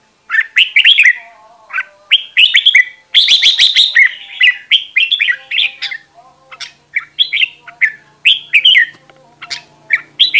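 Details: Red-whiskered bulbuls, a group of decoy birds singing vigorously as a voice-training recording; bright, clear whistled phrases of three to five quick rising-and-falling notes, repeated with short gaps and overlapping between birds.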